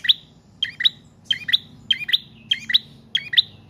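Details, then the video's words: Sustained prinia song offered as a lure and tutor for cage birds: crisp doubled chirps, each pair a bright high note with a lower tail, repeated about every half second. "Prenjak Trotol/Paot Gacor Panjang"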